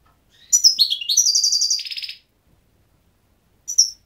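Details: Goldfinch delivers a rapid twittering phrase, bright notes running into a nasal, buzzy trill, then after a short silence a single sharp high chirp.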